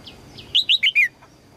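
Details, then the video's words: Female red-whiskered bulbul calling to attract a strong male: after two faint notes, a quick phrase of four loud, bubbly notes, the last ones slurring downward, with a steady thin high tone in the background. "นกหัวจุก birds - นกตัวเมียร้องเจี๊ยก ๆ เพื่อเรียกนกตัวผู้ที่แข็งแรง"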